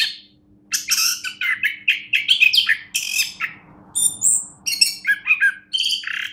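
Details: After a short silence, a champion orange-headed thrush launches into varied, scratchy chirps and ringing whistled phrases, delivered in rapid clusters with a faint low hum behind.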